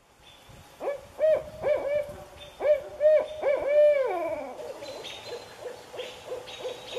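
A Barred Owl gives a quick run of loud, resonant hoots, then a drawn-out falling note, followed by softer, fading hoots.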